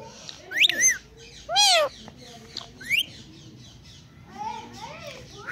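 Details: Indian green ringneck parakeet talking while dancing. A few scattered, sharply rising and falling squeaky syllables stand out over a low, quiet background, and soft chatter returns near the end.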